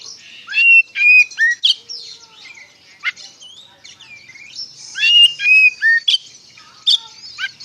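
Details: White-rumped shama lure song in 'ngeplong' style to make shamas reply; loud whistled phrases with sliding notes and sharp clicks, broken by quieter twittering, then another strong burst.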